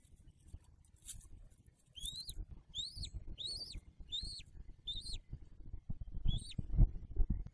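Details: Bald eagle at its nest with a newly hatched eaglet, December 2022, giving six high, thin whistled chirps, each rising then dropping sharply, spaced about half a second apart after a quiet start, over a low rumbling wind-like background.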